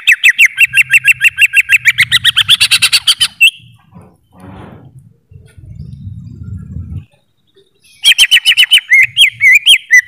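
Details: Greater green leafbird song: a long rapid train of bright repeated chattering notes, then a pause with faint rustling and low noise, before another fast chattering burst ending in varied whistled notes.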